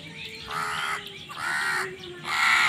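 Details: Three drawn-out, hoarse caws in steady succession from a crow contesting food, each about half a second long, over a low steady hum.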